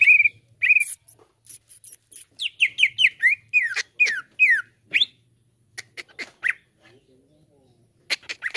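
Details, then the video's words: Greater green leafbird (cucak ijo) singing a rapid string of clear, downslurred whistles and sharp chips, repeated in quick bursts with short pauses; used as a lure to get other leafbirds singing freely. "CUCAK IJO ANDA CEPAT NGEPLONG"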